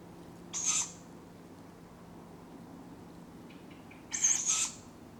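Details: Two rasping, hissy begging shrieks from tawny owlets calling for food at dawn in Padarn Park woodland in July, about three and a half seconds apart, with soft chirps from another bird just before the second.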